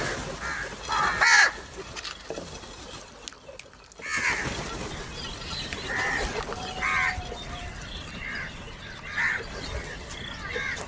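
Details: Crows squabbling and fighting with each other over food, giving loud harsh caws in short bursts scattered through a noisy background, with a broadband clatter near the middle.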